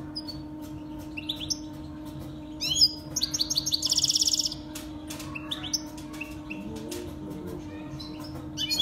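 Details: Saira canary in full song, used to teach young Saira canaries: scattered high chirps build into a fast, rattling trill lasting about a second, then softer twittering notes, all above a steady low hum.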